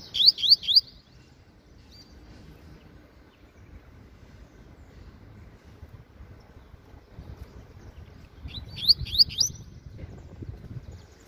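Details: Double-collared Seedeater in captivity singing 'meio canto' half song, two short bursts of three to four fast rising whistles separated by a long quiet gap with low rumbling.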